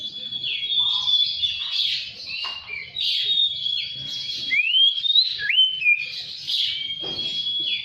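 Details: Oriental magpie-robin lure song meant to make beginner birds sing eagerly and open the tail: dense, lively whistling with quick slurred notes, upward sweeps and sustained pure tones in rapid succession.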